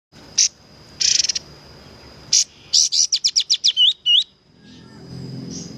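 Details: Kapas tembak, a caged songbird recorded as training song, singing energetically: short bright chirps, then a fast run of about eight clipped high notes with two quick looping whistles, over a steady high-pitched whine.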